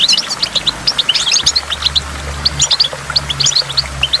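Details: Goldfinch song beside a waterfall, a dense run of sharp high tweets and trills with hardly a pause, over a low hum and constant running water.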